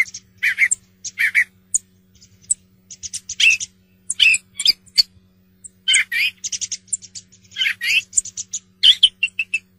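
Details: Song thrush song: loud, varied phrases of sharp whistles, chirps and squeaky notes, often given in short repeated bursts with brief pauses between, over a faint steady low hum.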